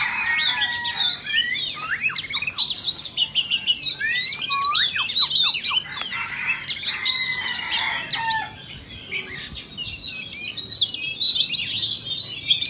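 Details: Vietnamese and Indonesian Oriental magpie-robins in a singing competition. Loud, looping whistled slurs rise and fall in quick succession, mixed with scratchy chatter, easing into softer twittering during the second half.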